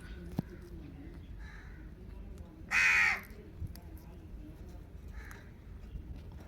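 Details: Pet Indian ringneck parakeet, called mithu locally, lets out a single abrupt raspy screech near the middle, with quiet surroundings, faint ticks and low steady background noise before and after.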